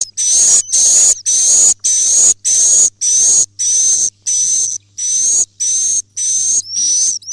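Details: ['Swiftlet roosting call (walet inap): a steady series of high, dry, buzzy chirps, each about half a second long, repeated nearly twice a second. A thin, steady whistled tone runs through them, over a faint low hum.']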